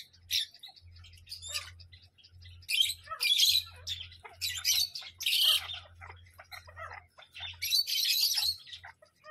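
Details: Parrot letting out harsh, screechy squawks in distinct bursts about a second apart, some with rising strained tones, over a continuous low hum.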